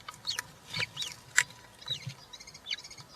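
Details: European roller chicks, three in a nest watched by a live camera on 20 June 2023, one fed a giant grasshopper; a run of short, high, chirping notes, some bending up and down, scattered irregularly over soft background hiss.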